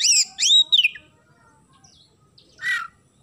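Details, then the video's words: Oriental magpie-robin singing in the isian gereja style, with sparrow phrases. Two loud downslurred whistles, then near silence with one faint note, and finally a harsher, lower chirp. "KACER GACOR ISIAN GEREJA"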